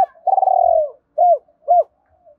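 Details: Spotted dove call used to urge other doves into cooing. A long, low, purring coo that slowly falls in pitch is followed by two short, mellow, arched hoots, with a brief low thud beneath.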